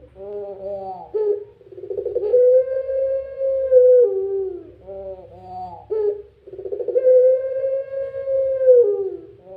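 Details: Barbary dove (Streptopelia risoria) giving its crying call: long, drawn-out, wavering coos about two seconds each, low and mellow, separated by shorter lower notes; a faint low hum underneath.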